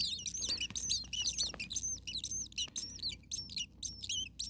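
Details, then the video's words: Common starling nestlings calling from a sweltering attic nest near 40 degrees Celsius with a parent nearby: a dense, continuous chorus of thin, high, bent squeaks, overlapping and repeated about twice a second. "Starling baby birds very hot. Day 2 Nest 2. Mama bird was close by making some noises."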